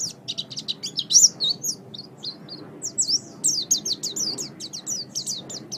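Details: Oriental white-eye kept as a pet bird, in a master recording used to train other pet birds to sing. Dense, rapid run of high, thin chirps and twittered slurred notes, almost unbroken, with a faint low hum behind.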